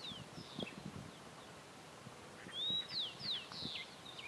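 Variable hawk giving a quick run of three or four high, slurred, somewhat squealing notes, preceded by fainter calls, over low background rumble.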